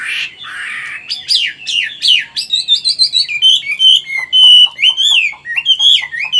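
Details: Chinese hwamei, a mature bird caught in the wild and now caged, delivering 'forest voice' song: loud rising and falling whistled notes, then clear steady whistles interspersed with quick sharp chips.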